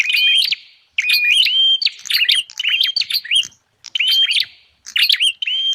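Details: Bar-winged prinia lure sound for attracting wild birds: bright whistled phrases with sharp clicks and rising notes, delivered in bursts of about a second separated by short pauses, with a clean background.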